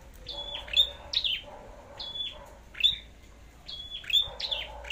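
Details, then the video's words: Red-headed flowerpecker singing competitively: spaced high, sharp downslurred notes trailing into short piping whistles, about one phrase a second, over a soft low background murmur. "Chim Sâu Đầu Đỏ Hót Đấu"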